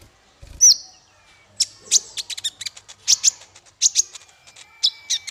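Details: Song recorded as a tutor for small fighter birds. One loud high chip, then a rhythmic run of sharp, bright twittered notes in clusters over a faint, thin, steady tone.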